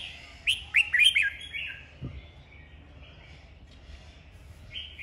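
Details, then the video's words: Red-whiskered bulbul, a kept bird in a singing duel, giving a burst of short chirpy whistled notes around the first second, then faint scattered notes and quiet background hum. "Chào mào hót đấu"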